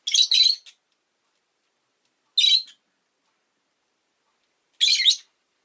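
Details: Pet Rosy-faced lovebird chirping, with street noise possible: three harsh, high, buzzy chirp bursts, each about half a second long, spaced roughly two and a half seconds apart, with silence between.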